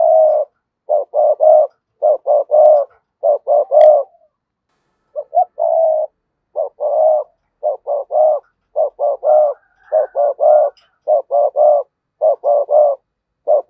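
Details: Spotted dove used as a decoy, giving rapid thúc bổi and sa gù cooing: a long fast run of short hollow coos in clusters of two or three, briefly broken after four seconds, then continuing steadily.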